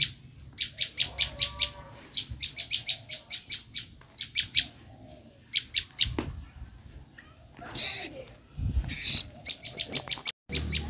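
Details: Bar-winged prinia screaming call, used to lure wild prinias: rapid strings of rasping high notes in uneven bursts, with a brief scratchy rustle and a sharp click near the end.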